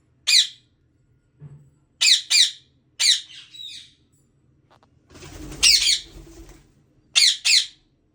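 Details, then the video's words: Breeding pair of Indian ringneck parakeets indoors: short, piercing high screeches, often in quick pairs, separated by silences of about a second, with a brief rustling noise midway. "Ringneck parrot 🦜 Breader pair"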